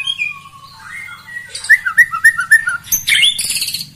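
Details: White-rumped shama song used as a lure to stir rival birds. Soft wandering whistles lead to a run of loud, repeated, short upslurred notes, ending in a high, jumbled burst.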